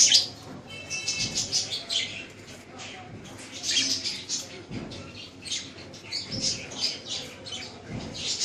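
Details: Budgerigars, known locally as Australian parrots, kept by people as pets in Lahore, Pakistan, giving a steady flock chatter of high, twittering chirps and rasping notes that overlap continuously, with soft background noise.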